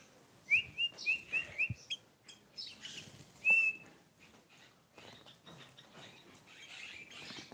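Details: Tame Sooty-headed bulbul giving a quick run of five short, clear whistled notes, then a single longer whistle, followed by softer scattered chirps and background rustling.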